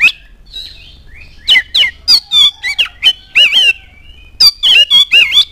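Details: Oriental magpie-robin song meant to provoke other birds to sing: a faint whistled opening followed by a long run of loud scratchy, rasping phrases and sharp chirps, in rapid succession.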